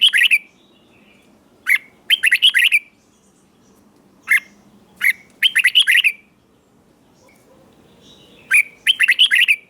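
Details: Caged red-whiskered bulbul from Thailand singing a southern-style song used to excite other caged birds; loud rapid bursts of bright, warbling notes in clusters of four to six, separated by pauses of one to two seconds.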